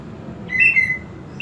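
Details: A kept greater green leafbird, its owner raising its excitement and breeding drive, gives a long level high whistle slurring slightly downward, then begins a louder bright note at the end, over low background hum.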